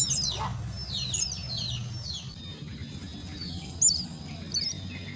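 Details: Myna chicks at the nest during feeding, a burst of high descending chirps at the start, then sparser thin squeaks over a low background hum.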